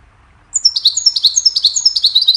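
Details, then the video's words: Goldfinch singing a cheerful melody meant for teaching songbirds: after half a second of quiet, a rapid, high twittering run of sharp, slurred chirps continues without pause to the end. "Goldfinch sings a cheerful melody to teach the birds goldfinch chirping"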